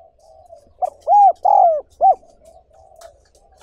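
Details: Spotted dove, a training recording for wild-caught doves: one cooing phrase of a short note, two longer arched coos and a final clipped hoot, framed by soft low murmuring.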